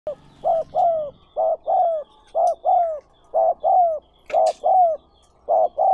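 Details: Spotted dove calling, recorded and edited for training newly caught doves: mellow coos in pairs, a short note then a longer slightly falling one, repeated steadily about once a second for the whole stretch against a quiet background.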